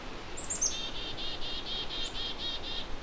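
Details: Agitated Black-capped Chickadees calling near a possible nest cavity in an old dead birch in late May along the Huron Fringe, Lake Huron's eastern shore; a couple of high thin notes, then a rapid run of buzzy, even dee-notes.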